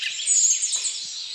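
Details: Many birds singing at once in a dawn chorus recorded in France: a dense, unstructured wash of high chirps and trills with no single voice standing out.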